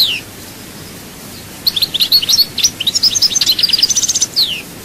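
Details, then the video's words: European goldfinch recorded in Souk Ahras, Chaayba, Algeria: a short descending note, a pause, then a fast liquid twittering phrase of high chirps ending in a downslurred whistle. "chant chardonneret"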